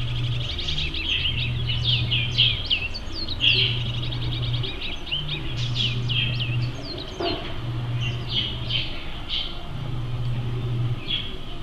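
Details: Acorn woodpeckers (Melanerpes formicivorus), recorded 6 August 2023 in Pereira, chatter in busy, overlapping squeaky calls that run on without pause. A low mechanical hum pulses underneath.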